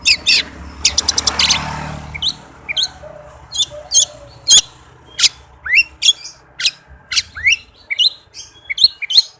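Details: White-rumped shama in rapid song serving as a lure to trigger another shama: rattling chatter at first, then a string of sharp rising whistles and chips in quick succession, with low background rumble.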